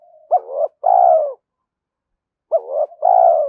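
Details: Cooing of a spotted dove used for luring and training decoy birds: two matching phrases about two seconds apart, each a brief wavering note then a drawn-out, slightly falling hollow coo.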